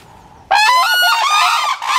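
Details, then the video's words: A black-necked crane pair in territorial display toward a neighbouring red-crowned crane pair, showing pair-bond strength: a loud, brassy trumpeting call bursts in from silence, lasting over a second, then a second call begins. "Black-necked crane territorial behaviour and vocalisation"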